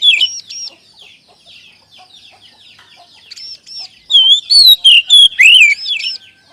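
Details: Oriental magpie-robin, called kacer, giving a lure song to coax other kacer to sing; soft chattering and paired arched chirps build into a loud burst of slurred, falling whistles.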